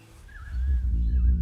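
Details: During mating season in a cassowary enclosure, a female Southern Cassowary booms: a deep rumble that swells in after half a second, like a distant truck, strong enough to vibrate one's insides, with faint higher tones above.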